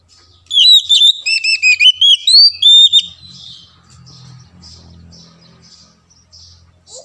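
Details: Oriental magpie-robin song played to stir quiet birds into singing: a three-second burst of fast, bright whistles with slurred up-and-down notes, then a faint low murmur.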